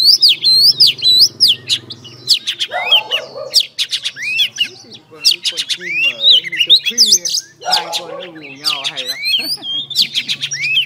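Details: Female oriental magpie-robin singing to provoke males, a varied stream of sharp whistles, downslurs and twittering notes, overlaid with a man's voice talking and low humming sounds in parts.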